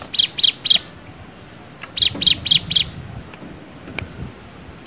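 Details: Bar-winged prinia lure song meant to provoke answers: three quick high chips, a pause, then four more evenly spaced notes, followed by quiet with a few faint clicks.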